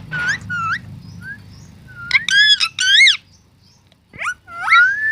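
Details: Talking pet parrot: short whistled and nasal voice-like phrases with rising and falling tones, given in bursts separated by pauses, some notes sliding upward, with a low background hum.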